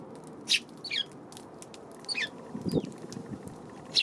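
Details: Eurasian tree sparrow, March 31 afternoon, uttering a few loose, high chirps and short twittering notes, with soft low thumps and rustling midway.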